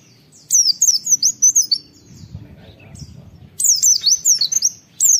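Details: High-pitched 'wit wit' song of an oriental white-eye, recorded as training material for tutoring other white-eyes: fast strings of thin descending whistles, a quiet low rumbling gap in the middle, then another run of slurred notes.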